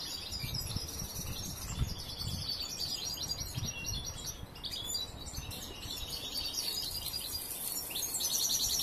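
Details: Young trained European goldfinch, song not yet finished, sings a soft, steady high twitter and chatter over a noisy background with low bumps.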